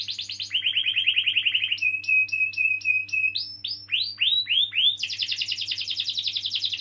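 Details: Canary song for stimulating young or silent canaries: rolled trills, a thin whistled note repeated in short pulses, descending swept notes, then a bright fast roll, with a quiet electrical hum underneath.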